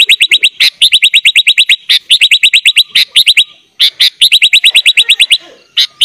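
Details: Sooty-headed bulbul delivering 'full isian' song meant as training material for young bulbuls: long, fast, evenly spaced trills of sharp chip notes, broken by short pauses, loud and clean.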